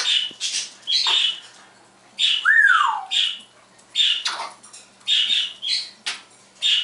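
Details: Pet parrot copying sound effects and words indoors one morning: choppy squawky syllables broken by a single whistled note that rises, then arches down, followed by more rapid harsh bursts.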